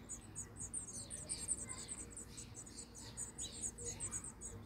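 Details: Young house finches being fed in Michigan, giving a rapid, continuous run of very high, sharp squeaking notes, rising and falling in intensity, with a few lower slurred chirps beneath and low background hum.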